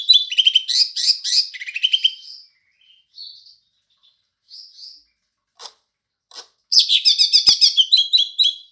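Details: Green leafbird singing house sparrow imitation: rapid chirpy phrases repeated in bursts, pauses with short soft notes and sharp clicks, then a fast repeated chirping series resumes.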